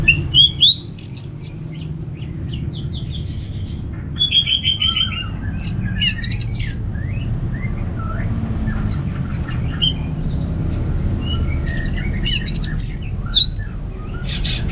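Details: Orange-headed thrush giving a long, varied ngeplong song for prompting kept birds to sing: rich whistled phrases, quick trills and slurred notes in irregular bursts, over a steady low rumbling hum.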